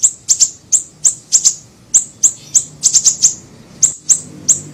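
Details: Lure recording of a small siri-siri bird: thin, very high-pitched chirps repeated in irregular pairs and triplets about every half second, with a soft background hum.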